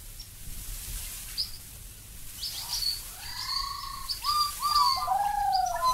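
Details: Australian Black-backed Magpie: after a quiet start with faint high ticks, long mellow whistles slide down in pitch. They are joined by several overlapping fluted phrases toward the end.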